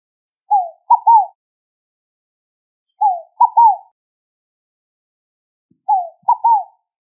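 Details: Scaled dove (rolinha fogo-apagou) repeats its three-part cooing phrase three times, about every two and a half seconds. Each phrase is a descending coo, then a short note and a longer falling note. No other sounds.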